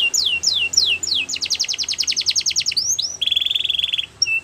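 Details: Canary singing spaced falling sweeps, then a fast run of evenly repeated notes, a couple of looping slurs, and a rapid buzzy trill ending in a short whistle.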